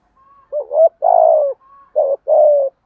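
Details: Spotted dove used as a decoy, cooing to lure wild doves: a soft low note, then a short hoarse coo, a long throaty rolling coo, and a paired final coo, with faint whistled notes in the gaps.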